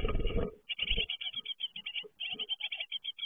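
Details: Fledging great tits: a loud low rumbling knock opens, then a steady stream of high, clipped chirps follows, repeated several times per second.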